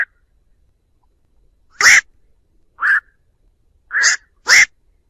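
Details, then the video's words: Black-crowned night heron calling to gather its flock, a trapping lure: four brief, coarse croaking notes, the final two close together, with a clean, noise-free background. "Tiếng Vạc gọi bầy"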